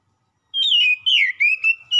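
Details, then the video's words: Oriental magpie-robin, used as a lure to draw a response, giving clear whistled phrases that glide and waver, one long warbling note followed by shorter rising and falling whistles. "PANCINGAN KACER LANGSUNG NYAUT"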